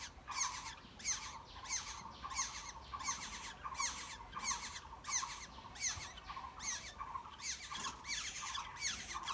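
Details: Black-hooded oriole chicks at the nest as parents bring food, calling in a fast, pulsing run of scratchy, buzzy notes rising and falling in loudness, nearly 90 a minute.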